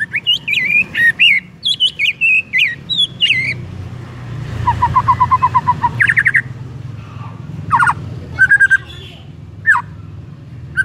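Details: White-rumped shama singing as a lure to trigger another shama: rapid varied whistles and chirps, then an even rattling trill of evenly spaced notes, followed by scattered sharp notes. A low rumble sits underneath.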